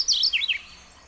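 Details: Mourning Warbler singing, a bird of Sonso Lagoon near Buga, Valle del Cauca, Colombia: a brief run of high, sharp notes sliding downward, the later ones a little lower, lasting under a second.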